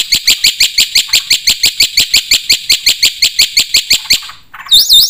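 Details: Black-winged starling in lively full song, a steady series of loud, harsh chattering notes, about three per second, then a brief pause and a sweeping, wavering whistle at the end.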